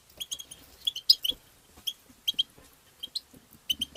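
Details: European goldfinch song in the tabtaba style, played to stimulate goldfinches: short bright chirping notes in quick irregular bursts with pauses, some notes sharply emphasised, over a quiet background.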